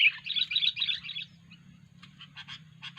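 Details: Sooty-headed bulbul with an odd-sounding call, recorded for luring bulbuls: a fast, harsh twittering burst, then a few spaced chirps over a steady low hum.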